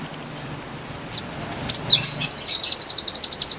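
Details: Konin song for luring wild birds: a thin, very high ticking series, loud sharp chirps and squeaks, then a fast, bright trill of repeated notes to the end.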